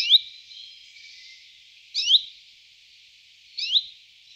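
Common Chiffchaff giving three short, high, upslurred 'hweet' notes, about two seconds apart, over a faint steady hiss.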